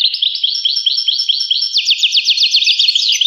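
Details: Bright twittering from a European goldfinch, first a string of quick looping chirps, then a faster rattling trill of sharp descending notes, ending in a brief slurred dip.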